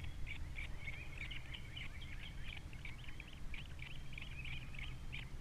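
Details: At a Captiva osprey nest with three babies, February 2022: faint, busy twittering of quick whistled chirps and slurred notes, running nonstop over low background rumble.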